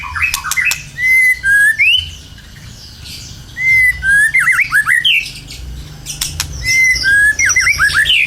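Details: White-rumped shama lure song: clear whistled notes and quick downward-swept chirps in repeated bursts, separated by brief quiet gaps, with sharp clicks between phrases.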